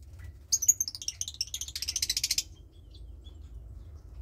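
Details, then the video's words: One of two lovebird chicks, roughly 20 days old, bred from Parblue Turquoise and Euwing Blue Opaline; a squeaky high onset rolls into fast, regular raspy pulses for about two seconds, then quiet hum. "Lovebird Chick"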